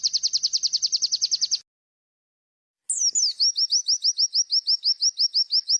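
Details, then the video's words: Training recording of bar-winged prinia 'wit wit' calls linked with ciblek song for cage birds. A fast, high buzzy trill breaks off into silence, then a downslurred note introduces slower, spaced, upward-flicking notes. "MASTERAN WIT WIT SAMBUNG CIBLEK"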